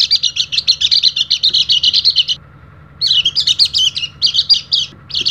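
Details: Rapid high twittering from an Oriental white-eye kept as a training lure, a steady chirping burst, a silent break of half a second, then a more varied jumbled chatter; low hum throughout.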